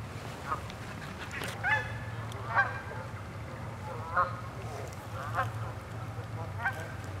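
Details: Cackling goose (Branta hutchinsii), calls.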